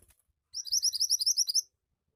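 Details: Energetic song of a Javan white-eye, a rapid string of roughly eleven sharp, high twittering notes lasting about a second, evenly paced and bright, with quiet before and after.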